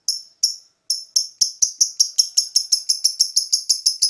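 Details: Lovebird master bait song: sharp, high chips at first spaced, then speeding into a rapid even series of about four per second.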